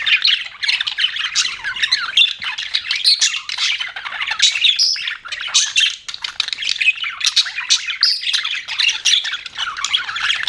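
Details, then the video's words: Pet budgerigars chirping in a dense, continuous chatter of buzzy warbles, clicks and squeaky notes, overlapping with no pauses as several birds call at once. "BUDGIES CHIRPING SOUND"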